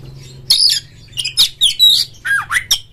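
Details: Indonesian caged oriental magpie-robin, ngeplong style, meant to set other magpie-robins singing; short scratchy, high notes in quick bursts separated by brief silences, ending with two swooping whistles.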